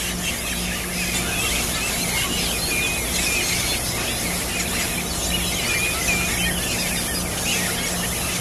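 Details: Yellow-rumped cacique (Cacicus cela) in Guamito, Barinas, Venezuela, 5 August 2013: squeaky, twisting whistles and chatter in a dense, overlapping stream, against a steady hiss and low hum.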